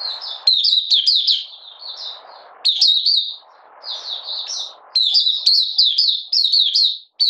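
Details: Oriental white-eye of Malaysian origin, out of form and lightly moulting, opening into song on 31 July 2023: long runs of rapid, high, tumbling chirps with brief breaks filled by a low background hiss.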